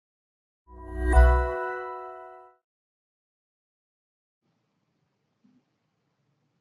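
A single bright ding with a low thump, ringing out for about two seconds before fading to silence; no animal sound.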